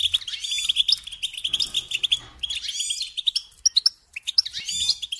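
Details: European goldfinch song played to train songbirds: rapid liquid twitters and tinkling chirps run together, broken by a brief silent gap before the chattering resumes.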